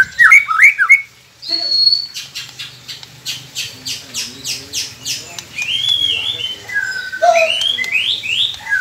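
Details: White-rumped shama song used as a training recording to prompt quiet captive birds to sing: rapid rising whistled notes, a sustained high whistle, then a series of pulsed repeated notes and sweeping rising phrases, with low background hum.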